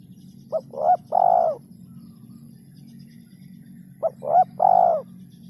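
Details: Spotted dove lure call with a rare kuk 2 or kuk 3 ending: two matching phrases of quick short coos and a long rolling final coo, about three and a half seconds apart, over a constant low hum.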